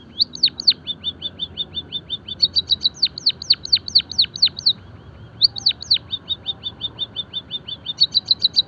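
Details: Java sparrow song played as training and stimulation material for caged songbirds: rapid strings of high, sharp chirps and downslurred ticks delivered in bursts of about eight to ten notes, with brief pauses between bursts; faint low background hum.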